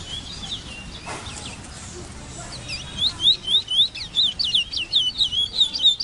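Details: A Large-billed Seed-Finch (Sporophila crassirostris), known as the congo, sings a fast run of high, slurred whistles, about four notes a second, growing louder after a softer warbled start.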